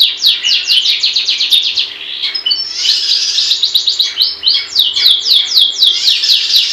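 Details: Gacor song of a long-tailed shrike: rapid downslurred notes at about four per second, arranged in runs separated by brief rough, buzzy passages. A faint low hum sits underneath.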